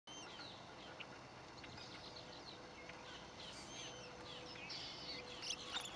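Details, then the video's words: Common moorhen chicks of a family at Lake Parker, Florida, give thin, high peeps, scattered and irregular, several to a second, over a steady low hum and light background noise. "Baby Moorhens"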